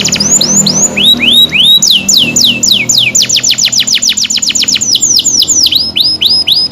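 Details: Canary singing vigorously, loud and continuous: rapid series of high, falling whistled sweeps repeated several times a second, shifting into faster trills, over a low humming background.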